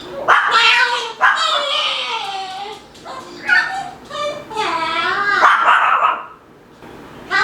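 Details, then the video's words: Pet male Moluccan cockatoo, talking and making noises during play: a continuous run of loud, harmonic squawks and wavering speech-like wails, ending in silence. "Moluccan Cockatoo Talking Compilation and Playing Running Jumping Making Noises"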